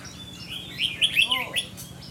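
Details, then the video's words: A caged red-whiskered bulbul described as 'mơ mặt, mí lửa', under an attitude test, sings a brief, clear phrase of rising and falling liquid whistles, with a low hum beneath. "Thử Thái Độ E Chào Mào Mơ Mặt,Mí Lửa"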